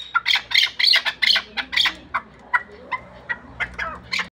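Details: Chukar partridge of the Pamirs, kept for hunting, calling in harsh bright chucks that soon thin out into quieter, widely spaced notes over a low hum.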